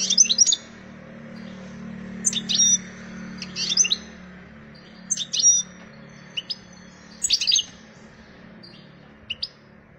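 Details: A wild European goldfinch seeking a mate sings bright, tinkling phrases of rapid twitters and thin whistles every one to two seconds, over a faint low hum.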